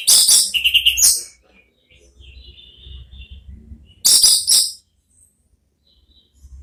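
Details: Ngeplong-style song of an orange-headed thrush, played to coax a thrush into replying: a loud, shrill, chattering phrase, a quiet gap with faint low background rumble, then a second high, fast burst.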